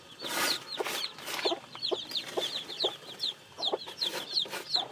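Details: Newly hatched chicks peep in short, falling whistles while loud scuffling or fluttering bursts and soft low knocks recur throughout.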